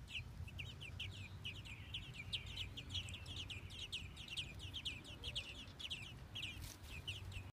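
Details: Baby American robins begging as female and male adults feed them at the nest in Minnesota: short, bright, slurred chirps repeated rapidly and evenly, over a steady low background hum.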